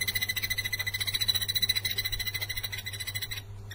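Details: Blue-eared barbet, recorded 9 January 2021. Monotonous run of quick, repeated tuk notes, evenly spaced at about three and a half per second, fading slightly then cut off, backed by a continuous deep hum.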